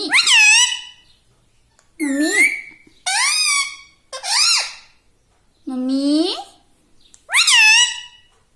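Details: Pet parrot speaking a sequence of six separate harmonic word-like utterances, several with a low start and an upward swoop, evenly spaced about a second apart.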